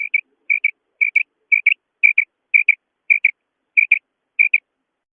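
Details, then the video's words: A female quail (batair, coturnix quail) gives high, clipped double 'kirk' notes, a quick pair roughly every half second, repeated steadily against a silent background. "Female quail sound||batir ki kirk||madi batair ki kirk"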